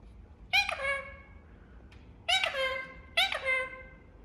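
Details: Pet Indian ringneck parakeet making three harsh, buzzy squawks with a falling tail, spaced unevenly over about three seconds, indoors with little other sound.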